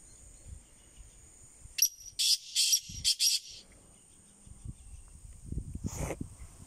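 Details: A short series of about five loud, rasping, broadband notes from a black francolin, known locally as kala teetar, spaced a fraction of a second apart. A continuous shrill insect drone and some low thumps and handling noise surround it.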